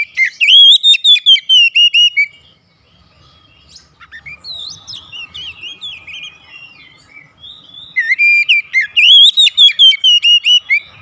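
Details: Oriental magpie-robin kept at home, singing actively as daily therapy: two bursts of rapid, loud, evenly spaced whistled notes framing a softer middle section of varied warbled phrases.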